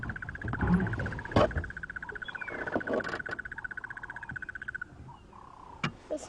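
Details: Crested barbet, wild, giving its long brrrr trill, a steady buzzing pulse train at one pitch lasting almost five seconds. Its larynx is said to split. Vehicle rumble and scattered thumps sound underneath.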